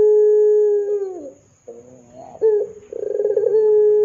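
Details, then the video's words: Ringneck dove calling often, used to coax other doves into calling: a level coo drops away, a brief quiet burble and a sharp rising note follow, then a throbbing roll settles into another long even coo. "Pancingan Suara Burung Puter Gacor Dor 100% Cocok Bikin Puter Lain IKUTAN BUNYI"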